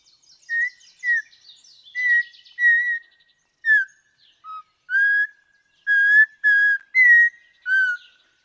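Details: Audubon's Oriole sings slow, sweet, hesitant whistles, each note level or slurring down, spaced about half a second apart; faint high chirps from other birds sound early on.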